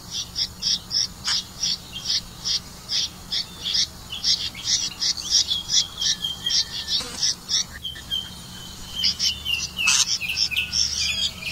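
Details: Red-vented bulbul catching crickets to feed its young; a fast run of short, high, sharp chirps repeated several times a second, with a few brief scratchy notes near the end.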